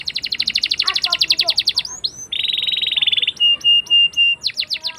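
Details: Rolling canary song for teaching young canaries: fast chattering trill, a brief dense buzz, four long level whistles, then crisp falling chirps.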